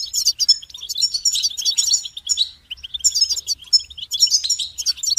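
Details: Goldfinch in full song, dense high tinkling twitters and buzzy trilled notes running almost continuously with only short breaks.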